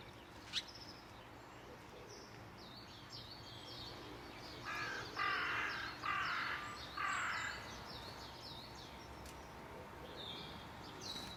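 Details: Little Owl calling from its old telephone exchange home near Bath, UK, gives three harsh, rasping calls territorially answering another little owl a few fields away; faint small-bird chirps and steady hiss.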